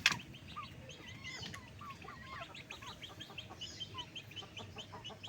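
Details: Backyard chickens at daytime feeding, dated 06/01: busy rapid clucks and high chirping notes, several birds calling at once, opened by a sharp click and followed by a steady stream of short repeated peeps.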